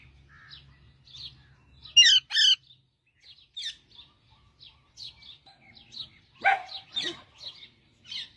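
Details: Singing parrot: two loud harsh raspy notes, then scattered short, high chirps, and a burst of lower, broadband chattering toward the end; a faint low hum early on.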